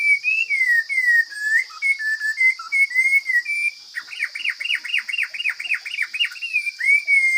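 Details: Wild forest Chinese hwamei, strong voice: wavering whistled phrases flow into a fast burst of repeated arched chirps, about ten in a row, ending with a smooth falling whistle. A constant high-pitched buzz continues underneath.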